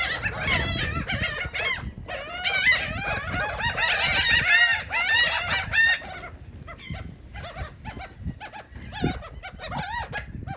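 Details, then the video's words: A flock of seagulls feeding on cake in Atlantic City, New Jersey, with a loud chorus of overlapping harsh squeals that thins to scattered single cries, over low urban noise. "Seagulls are eating Cake"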